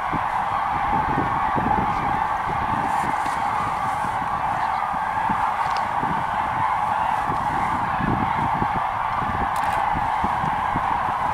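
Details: Common cranes rising from their roost at dawn on 28 October, heard from a dike near Vieux Moulin as they set off on the morning flight to feeding areas; a dense, unbroken chorus of trumpeting calls from many birds.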